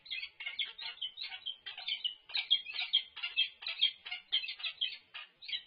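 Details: Peregrine falcon at the UC Berkeley nest during a food delivery, dated 3-6-24. Harsh, raspy notes are repeated in quick bursts, about two per second, for the whole stretch. No other sounds are clear.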